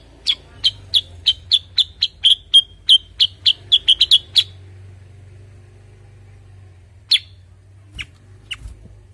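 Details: Cucak kurincang, a bulbul also known locally as kutilingang sutra or kuniran in Ngawi, singing a run of about fourteen sharp, evenly spaced high notes over four seconds, then a pause and a few scattered single notes, with a low hum behind.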